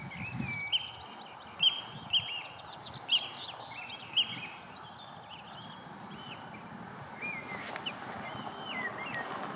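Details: Slavonian (horned) grebe family in Speyside, 2021, gives sharp, high peeping notes at irregular intervals, then thinner wavering whistled trills, over a steady background hiss of wind or water.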